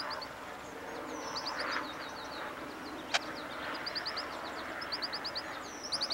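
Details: Wild American Goldfinch pair tending a nest of five chicks in a small deciduous tree in an overgrown field, Iona Island, Richmond, B.C., Canada, June 1995: faint, high, rapid twittering notes in runs, over steady traffic-like rumble and one sharp click.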